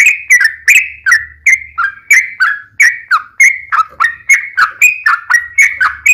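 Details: Sooty-headed bulbul in long-running song, played as a lure so other bulbuls respond; quick chain of liquid whistled phrases with crisp onsets, repeated about three times a second, faint low hum underneath.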